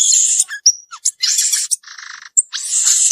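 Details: Wild violaceous euphonia song made of loud high buzzy trills, a clear whistled note, a lower rattling buzz in the middle, and a closing stretch of harsh, high chatter.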